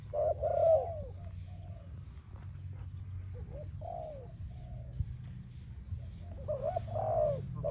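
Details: A spotted dove (Spilopelia chinensis), used as a training sound, sings soft, mellow cooing phrases, three rolling bursts spaced a few seconds apart, over a steady low rumble.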